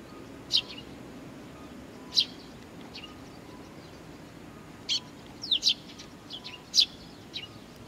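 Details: Fledglings at Tenmangu, Nakanoshima, waiting for their parents on 25 June 2020, uttering sparse high, sharp chirps, two well apart early on and a quicker cluster later, against quiet background noise.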